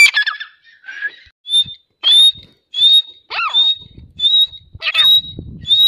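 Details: Grey francolin: clear, high whistled notes that slur upward, repeated every half to one second, mixed with a few harsh descending squeals and low rustling.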